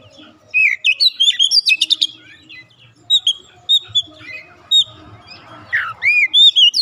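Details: Oriental magpie-robin pouring out varied song meant to spur untrained young birds into singing: rapid chattering and whistled notes, sharp high clicks, and bright rising and falling slurs.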